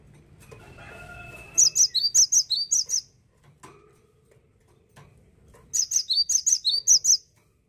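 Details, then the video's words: Cinereous tit, now seldom met in gardens, in Indonesia: after a faint hum, a rapid series of about nine piercing, high two-part notes, a pause, then a second run of about seven matching notes. "KICAU MERDU GELATIK BATU"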